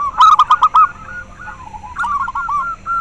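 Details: Local zebra dove song, played to stimulate breeding drive and to lure doves. A loud run of quick, staccato cooing notes fades into softer rolling coos, then a second lively trill of short notes.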